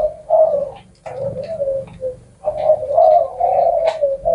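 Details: Spotted dove from Vietnam, prized for its drawn-out final coo note, giving soft, low, rounded hoots: two short phrases, a brief note, then a long sustained cooing phrase, with faint clicks behind.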